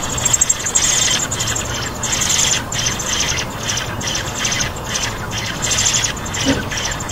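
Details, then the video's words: Hungry nestlings in a nest beg in a hissing, high-pitched chorus of rapid, raspy pulses that swell and fade every second or so, over a low background rumble. "Baby birds sounds _ them so hungry"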